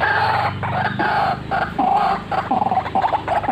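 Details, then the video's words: Energetic white-breasted waterhen calling, cackling and rolling: throaty, nasal croaks repeat about twice a second in a steady rhythm, with a low hum beneath. "RUAK RUAK GACORAN FULL NGEKEK NGEROLLL"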